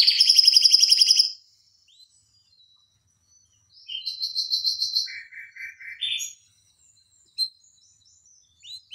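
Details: Canary tutor song for training other canaries: a bright buzzy trill opening, a silent gap, then scattered short trills and chirps at varying pitches separated by pauses.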